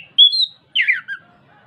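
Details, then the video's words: Prompting song of an Orange-headed thrush for a kept bird: a high, level whistled note, then a tumbling, descending warble ending in a short lower chirp. "PANCINGAN ANIS KEMBANG BIAR NGEPLONG CEPAT BUNYI DAN GACOR"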